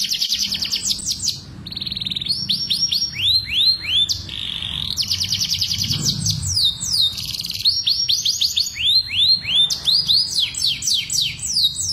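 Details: Canary mating song used by breeders to stimulate pairing: long varied song of rapid high trills, repeated upslurred and downslurred whistled notes and rolling series, continuous, over a low background hum.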